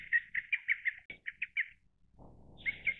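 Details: Lesser cuckoo calling: a fast run of about six short, clipped notes, then a quicker stuttering group of three, a brief pause, and two more notes starting a new phrase, with faint low rumbling noise underneath.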